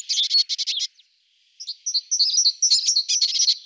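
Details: Great tit calling: a quick run of buzzy, rasping churr notes, a brief pause, then a jumble of sharp, high chinks and short twittering notes. No other sounds are heard.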